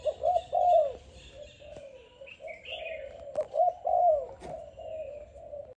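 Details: A young captive Malaysian spotted dove coos in soft, low, hollow notes, a short rolling phrase repeated twice, with faint chirps of small birds behind.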